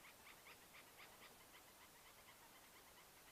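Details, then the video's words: Dark-capped bulbuls alarm calling beside a river at Rietspruit Game Reserve in the South African Lowveld at sunset, sounding grumpy because a bird of prey is still nearby: faint sharp notes repeated about four times a second over steady background hiss. "Listen to those bulbuls, they're grumpy. Just can't"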